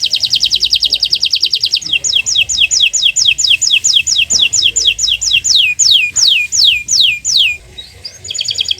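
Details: Canary master song meant to prompt silent canaries into singing: a fast rapid trill, then a slower series of downward-sweeping whistled notes, ending in a short buzzy roll.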